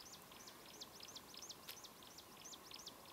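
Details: Chinese leaf warbler recorded in China in 2008, giving a fast string of thin, high chirps, about three each second, faint against a steady background hiss.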